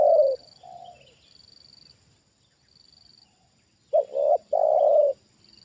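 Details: Spotted dove trained as a lure, reacting to a wild bird's second descent: a loud coo, fainter answering coos, a quiet gap, then a stuttered double coo and a long rich hoot, with a high insect-like drone.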